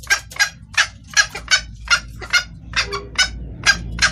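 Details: Female junglefowl summoning the male with a clear lure call: eleven raspy clucks, about three per second, a few softer, with a low rumbling hum underneath.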